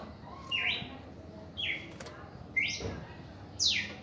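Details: Red-crested cardinal in reaction song: four clear, slurred notes, one per second, moving from rising slides to a high falling sweep, with a soft click near the middle.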